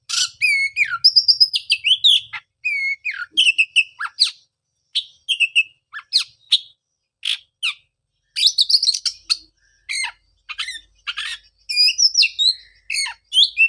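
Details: Lively Oriental magpie-robin song for prompting a bird silent after moulting: a long run of varied whistled phrases, quick chirps and sharp notes in bursts with brief gaps, very high-pitched throughout.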